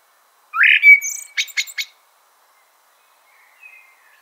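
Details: Common blackbird giving a short, bright rising whistle with one long held note, then three sharp clicking notes. A faint, distant whistle follows after a pause.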